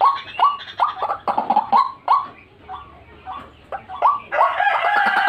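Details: White-breasted waterhen calling to lure birds: series of short, rising, nasal notes in quick bursts, a quiet pause, then a dense, harsh chorus.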